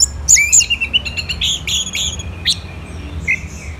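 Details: Orange-headed thrush singing in Bali, Indonesia: a few piercing high notes followed by a string of quick buzzy chirps that fade into a thin sustained whistle, over a low background hum.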